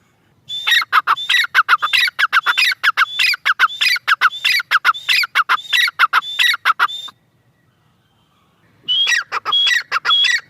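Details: Grey francolin female voice: a long run of rapid, rough, chattering phrases with whistled tops, then about two seconds of quiet before the loud calling starts again.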